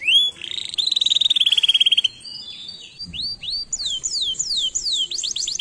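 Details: Canary song opening with a rising whistle and a buzzy trill, then widely spaced downward-sweeping whistled notes that quicken toward the end.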